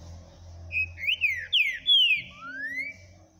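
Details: Green-winged saltator song recorded on 9 April 2022: rich, melodious whistles, with several quick upslurred and downslurred notes in a tight series, ending in a long rising whistle over a faint low hum.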